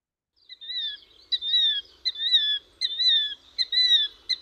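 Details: A Killdeer, a vocal bird that keeps calling while flying around when disturbed, repeats its shrill, piercing two-part kill-deer call about once a second, each note high and slurring downward, with faint background noise.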